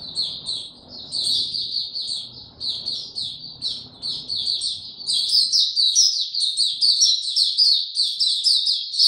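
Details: Caged white-eye singing on 29 April 2022 without health supplements: a steady high twitter of quick chirps, growing louder and denser with sharper whistled notes in the second half, low murmuring noise early on.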